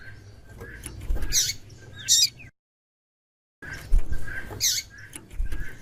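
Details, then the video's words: White-throated seedeater female calling to stimulate a male: two high chips close together, a brief silent break, then another sharp chip, with low thumps and background rumble. "Piado de Fêmea de Coleiro e chamando muito - esquente seu coleiro"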